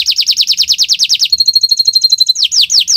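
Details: Canary song used as training master audio: a fast series of bright downslurred whistles, then a thin steady trill, then a few slower sweeping notes.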